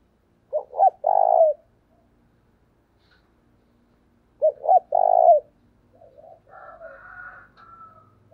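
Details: Lure spotted dove calling to provoke wild doves: two phrases of low cooing, each two short rising notes then a longer held coo, followed by softer distant coos and a faint higher call.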